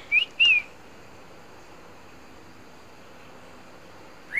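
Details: Tame male Red-whiskered bulbul, an unusual 'green' bird kept in Ba Vì near Hanoi, Vietnam, utters two short piercing whistled notes at the start and another rising note at the end, with silence between.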